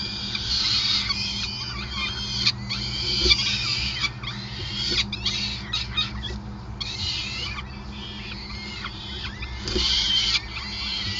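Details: Peregrine falcons at a nest in Groningen on 5 May 2020 during a long feeding: dense, overlapping high, thin squealing calls with bent, slurred notes, bursts separated by brief pauses, over a steady low hum.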